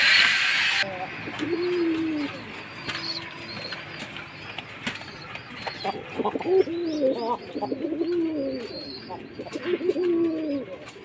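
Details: Jacobin pigeons cooing: several low, arched, throaty coos rising and falling in uneven runs, with brief higher chirps and a short loud burst of noise at the start.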